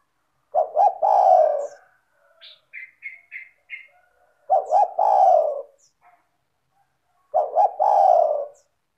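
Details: Spotted dove (tekukur) lure song, tight and clear: three double-hoot-and-long-coo phrases, with a short series of four high chirped notes from another bird between the first two.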